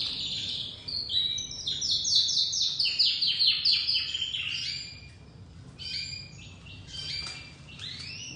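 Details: Young crested white domestic canary beginning to sing, with a loud roll of rapid repeated high chirps, then quieter scattered whistles and upward sweeps.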